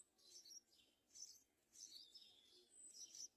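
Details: Young yellow-vented bulbul begging for food from its mother, giving short bursts of high, squeaky chirps in about four clustered groups over light background hiss.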